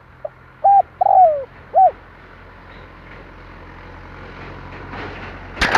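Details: Spotted dove calling as a lure for trapping, recorded 2023: one soft low coo phrase, a short note, a flat coo, a long sliding coo and an arched final coo. Quiet background hum follows, ending in a sudden loud noise burst.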